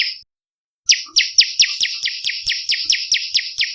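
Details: Olive-backed tailorbird lure song for attracting and training birds: after a brief gap, a steady train of high, sharp, descending notes repeated about four times per second, fading slightly toward the end.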